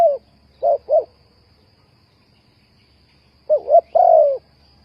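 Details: Spotted dove call used to lure birds into a trap: a pair of short mellow coos, a pause of over two seconds, then two quick notes and a drawn-out falling coo.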